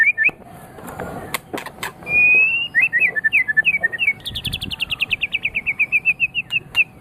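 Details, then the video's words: Tutor song of a white-rumped shama for training pet songbirds: a long sustained whistle, choppy warbled phrases, then a fast, even trill of high repeated notes that drops slightly in pitch. "Suara Burung Murai Batu"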